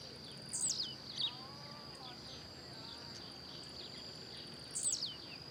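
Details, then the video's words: Blue-black grassquit singing in the wild as it hops around: two sharp descending high notes near the start and another about four seconds later, with faint lower warbles in between and a continuous insect drone. "Tiziu Cantando Na Natureza"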